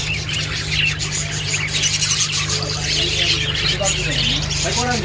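Budgerigars chatter steadily in busy, high, scratchy warbles, several birds at once, over a low droning hum, with a human voice near the end.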